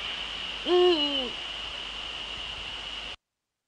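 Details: Male Eurasian eagle-owl in the Netherlands, 30 January 2013 at 18:00, giving one deep, rich hoot of about half a second that sags slightly in pitch at the end, over a steady high-pitched hiss.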